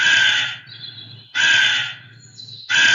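A crow gives harsh, raspy caws, each about half a second long, repeated roughly every 1.3 seconds with short pauses between.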